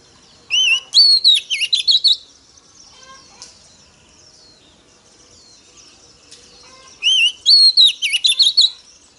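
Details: Female Oriental magpie-robin singing to stimulate males: two loud whistled phrases about six seconds apart, each a low rising note followed by a quick run of about eight crisp notes, with faint twittering in between.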